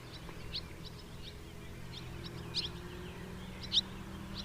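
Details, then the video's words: House martin giving brief, dry, high chirps at irregular intervals, two clearer ones standing out, over a steady low rumble of background noise. "SOUND OF A HOUSE MARTIN 🔊 What does a house martin sound"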